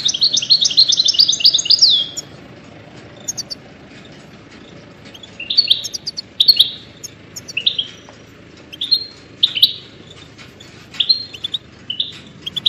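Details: Goldfinch song used to train songbirds: a dense twittering phrase at the start, then spaced, liquid chirps and short buzzy notes repeated every second or so over a quiet background.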